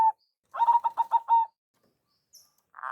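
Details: Local zebra dove, perkutut, lure call: one short hoot, then a fast run of six clipped cooing notes slowing into a longer final note, followed by a brief rustle.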